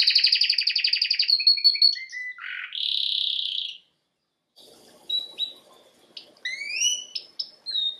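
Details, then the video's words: Canary, Serinus canaria, training song: rapid pulsed trill, short stepped notes and a harsh buzzy burst, then a steady high tone, a brief silence and scattered rising whistled notes with faint background noise. "Bird song | Canary singing| training bird | best canary | Serinus canaria"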